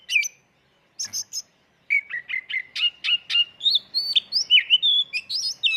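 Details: Lure song of an oriental magpie-robin (kacer) in full-isian tembakan style: a few high chips, then a fast, steady string of short whistled notes, climbing higher and growing more varied, with quick slurs and twists at the end.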